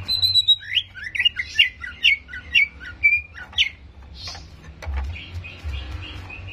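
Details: Greater green leafbird song played to provoke aggression: a series of sharp downslurred whistles about twice per second, then softer scattered notes and brief low thumps.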